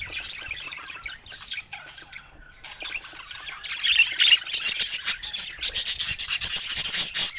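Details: Pet budgerigars in many colors: soft, thin twittering at first, then building to loud, dense chattering and rapid chirps.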